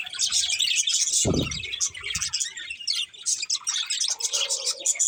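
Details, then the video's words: Chattering budgerigars from a breeding pair give rapid high twitters and scratchy notes. A dull low thump sounds a little after one second, and a lower nasal tone comes near the end. "Beautiful Budgies Chirping Sounds"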